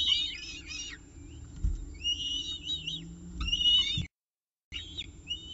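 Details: A peregrine falcon, Diamond, at CSU Orange with breakfast on 19 October 2018 gives harsh, grating calls in bursts of several notes about every second or two, over a steady low rumble.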